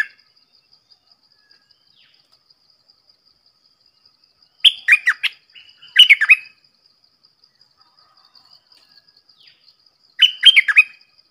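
Red-whiskered bulbul giving three short bursts of bright, bubbly, warbled whistles a few seconds apart, with a faint steady high insect-like hiss behind.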